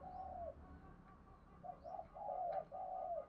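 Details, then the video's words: Spotted dove cooing for bird luring and training: a long falling coo, then a phrase of short coos and two longer ones, somewhat muffled over background hiss and faint higher chirps. "Tiếng chim cu gáy dùng luyện giọng chim bổi và mồi chuẩn nhất"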